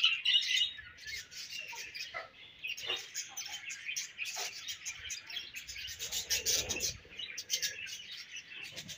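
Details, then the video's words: Budgerigar chirping and chattering, pet birds: continuous busy stream of high, scratchy twitters and short squeaky notes, several birds overlapping throughout. "Budgie Sounds For Lonely Budgies"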